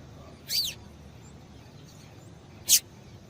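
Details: Female Double-collared seedeater, whose call prompts the male to sing, giving two quick, piercing descending notes about two seconds apart amid a continuous faint hiss.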